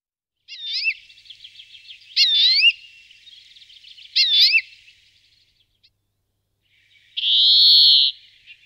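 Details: European greenfinch recorded at Florya; high twittering trills with looping notes in three bursts, followed by a long drawn-out wheezing buzz.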